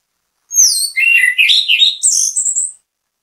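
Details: Anis kembang, the orange-headed thrush, delivering a bait song to draw other birds into singing: a high descending whistle then a tumbling series of varied warbles and sharp high notes over two seconds.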